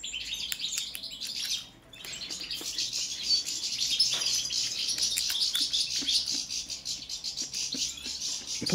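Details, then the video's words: European goldfinch, subspecies balcanica, singing a long, continuous, rambling twitter of high chirps, trills and buzzy notes after a brief pause near the start, with scattered clicks. "Kontrola pesme, štiglić, češljugar, grdelin n, carduelis balcanica"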